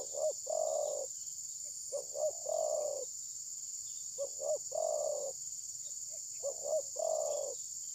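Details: Spotted dove (terkukur) used as a decoy during bird trapping, recorded on a phone; it does not attack its rival. Three groups of low cooing notes, each one or two short coos followed by a longer rolling coo, over a steady high insect hum.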